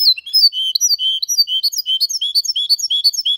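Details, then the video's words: Song of a goldfinch and canary hybrid in the elegant Malaga style, recorded in 2022: an unbroken stream of bright, high chirps and short slurred twitters, tumbling quickly and steadily with no pauses. "Mixto de Jilguero Cantando Limpio (Video HD)Mulet de Chardonneret X canari /hybrid goldfinch singing"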